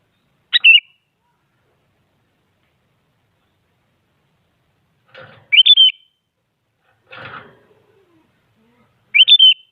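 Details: Sooty-headed bulbul, singing to push rival bulbuls into song, repeats a quick three-note whistled phrase about every four seconds, with two soft rustling, scraping noises in between.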